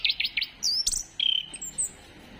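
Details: Orange-headed thrush singing, played to prompt other birds into song: a short burst of quick chattering notes, then a sharp high whistle and a steady sustained whistled note, finishing with thin high notes.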